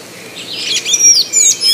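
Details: A Golden-chevroned Tanager (Thraupis ornata), a resident of southern and southeastern Brazil and Bahia, sings a rapid run of thin, squeaky, high notes that slur up and down, in short bursts with brief pauses between.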